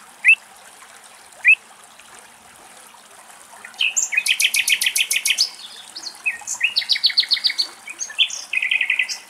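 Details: Pied avocet in Greece guarding its newborn chicks: two single clear rising notes, then a fast, excited series of sharp, high "kleet" notes repeated several times a second in long bursts.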